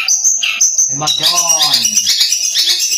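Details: A young long-tailed shrike from Madura sings a steady stream of high, sharp chattering and squeaky notes, with a man's voice briefly speaking over it.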